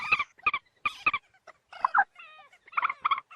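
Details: Moorhen giving loud clipped double notes, paired harsh clucks repeated about twice a second, broken by a brief run of thin whistled slurs and a grating squawk before more paired clucks.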